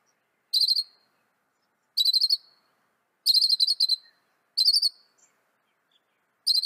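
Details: Northern mockingbird, the North American mimic, repeating a high, rapid stuttering phrase of bright trilled notes about every one and a half seconds, five phrases in all, clean and undisturbed.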